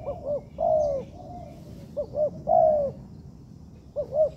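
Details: Zebra dove under training in a home-made yard, cooing in irregular bursts of short looped notes and longer falling coos, partly faint, over a low background hum.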